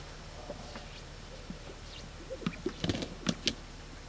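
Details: Male Greater Sage-Grouse strutting and displaying on a lek to attract females give soft swishes and a few hollow, low popping sounds from inflated air sacs, bunched near the end, over a steady low engine-like rumble.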